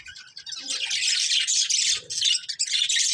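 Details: Breeding pair of budgerigars giving a continuous stream of dense, high, scratchy chirps and chatter with almost no pauses.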